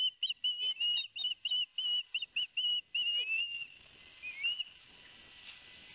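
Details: Young osprey pair at a Barnegat Light, New Jersey nest cam on 13 September 2021, loud as the father brings each a fish; quick run of piercing whistled chirps for several seconds, then a few softer slurred whistles over faint background hiss.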